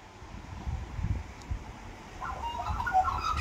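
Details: Two Australian magpies land on an apartment balcony at Lake Macquarie, New South Wales, on a windy January 2023 morning. After a low rumble of wind and handling noise, they break into a mellow, fluting warble of wavering mid-pitched notes.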